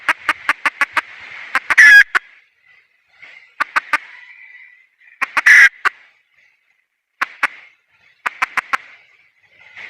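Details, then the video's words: Wild hen red junglefowl cackling: clusters of sharp clucks, twice rising into a loud, rough squawk, with short silences between the bouts. "Suab poj qaib qus see zoo heev"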